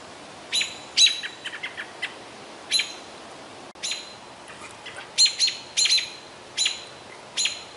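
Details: American robins harassing and attacking a juvenile great horned owl at midday in a Minnesota boreal forest, temperature almost 90F. Abrupt, piercing notes come singly and in quick clusters of two or three, with brief silences between.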